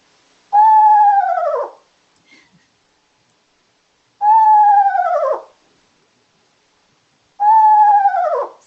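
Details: Eastern screech owl, a Florida owl, giving its trill, the call it makes most often: three quavering, horse-like trills, each about a second long, holding steady then dipping at the end, spaced three to four seconds apart.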